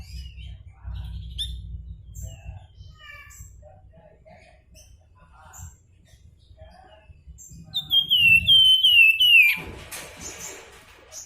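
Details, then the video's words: Javan fulvetta (flamboyan) singing actively: after faint scattered chirps, a loud, clear series of descending whistled notes runs for nearly two seconds, followed by a short burst of noise and soft chips. "Flamboyan Gacor Nyuling"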